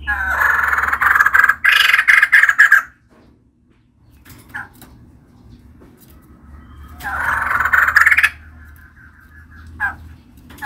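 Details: Female white-crested laughingthrush, a kept bird, in loud chattering song: harsh rapid notes around 0-3 s, then a quiet gap with faint sounds, and another burst of chattering near 7-8 s.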